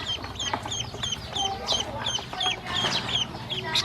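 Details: Hungry domestic ducklings fed by a woman, steady stream of high bright peeps, roughly three a second, overlapping from many birds, with pecking clicks throughout.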